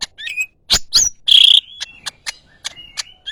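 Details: Greater green leafbird, yellow-headed, uttering sharp chirps, a loud harsh buzz, then soft fading whistles and short clicks.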